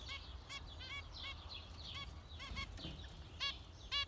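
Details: Zebra finch calls, quieter and more distant, a string of short nasal beeps spaced roughly every half second, with two louder notes near the end over a steady low background hum.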